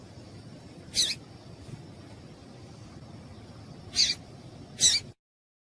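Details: Female double-collared seedeater (papa-capim) giving calls that stimulate males: a single high, sharp chirp, then a pair of chirps about three seconds later, over low hiss, ending in silence.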